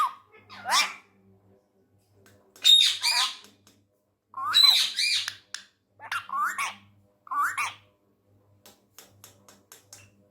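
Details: Tame Indian ringneck parrot talking angrily in Urdu/Hindi, scolding everyone: a run of loud, grating squawks and chattering phrases, about eight bursts in ten seconds, with a steady low electrical hum indoors.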